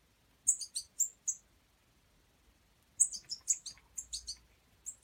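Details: Hand-fed European goldfinch fledgling calling for food: a short burst of four thin, piercing chirps, a pause of nearly two seconds, then a longer, denser string of high chirps, with a faint low hum beneath.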